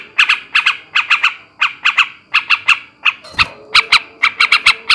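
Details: Coarse ngebrem ngekek chatter of a male sooty-headed bulbul, aimed at raising breeding drive: buzzy notes in twos and threes, a short noisy knock midway, then quicker clustered notes.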